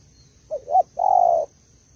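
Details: Caged female spotted dove, Malaysian type, calling to rouse a male: two quick rising coo notes, then a long even throaty coo lasting about half a second, with quiet surroundings.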